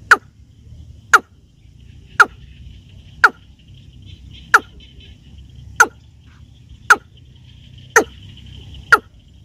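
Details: Watercock (keb-keb), whose call is played by hunters to attract more birds: nine abrupt, percussive knocks at a slow, fairly even pace of about one per second, against a quiet low hum.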